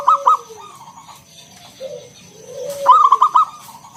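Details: Zebra dove of local stock giving ngalun song with round kung notes, meant to prompt other zebra doves to sing; a short coo pair opens, then a fast run of four bubbling coos.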